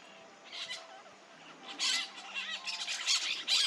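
Peach-fronted parakeets give harsh, grating screeches in quick irregular bursts, several overlapping as if from a small flock, over a faint low hum.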